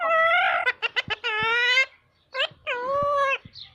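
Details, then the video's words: A talking parrot gives voice-like harmonic phrases, a long drawn syllable, a run of short clipped notes, then more word-like utterances after a brief pause, in a small indoor room. "parrot talking"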